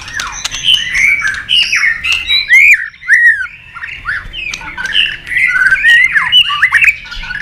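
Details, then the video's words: Competition-singing white-rumped shama, tail flicking, in full varied song: a dense stream of loud whistled slurs, rising and falling notes and harsh chatters, with one short pause midway. "chòe lửa đập đuôi nhấp cầu hót đấu giọng rừng dài"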